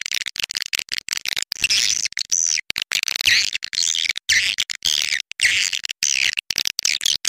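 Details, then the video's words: Swiftlet lure call recording "SP My President", which the uploader uses and finds strongly responsive: dense, high, buzzy twittering chirps in rapid overlapping bursts, cut by short abrupt silences, as if looped. "Suara panggil burung walet"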